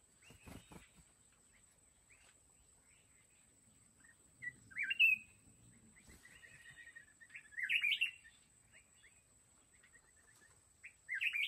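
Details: Red-whiskered bulbul, a wild mountain bird lured to a fighting trap, singing scattered short warbled phrases and soft chirps with long pauses, a low thump early on, over a steady high whine.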